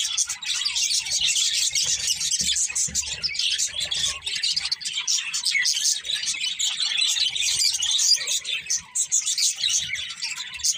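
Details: Budgies chatter nonstop: overlapping high chirps, clicks and warbled notes form a thick, busy wall of sound, with a few louder squeaky notes standing out.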